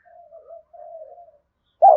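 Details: Decoy spotted dove calling harshly to rile wild doves, "thổ" voice style; two soft drawn-out hoots, then after a pause a sudden loud coo begins.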